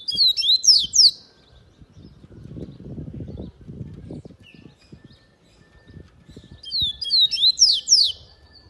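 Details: Yellow-bellied seedeater singing two high, rapid bursts of twittering, slurred whistled notes, one at the start and one near the end, separated by a pause filled with low rustling and handling noise.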